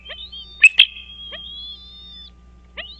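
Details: Bald eagles at a lakeside nest on Dale Hollow Lake, Kentucky-Tennessee border, nest camera recording at 05:51 on 4 March 2023; a few high, sharp chips, then isolated single notes, with a thin steady whistle-like tone running beneath.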